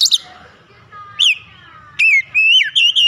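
Oriental magpie-robin singing loud, clear whistles: a sharp opening note, then sweeping, slurred phrases that rise, fall and waver, with brief pauses over a faint low hum.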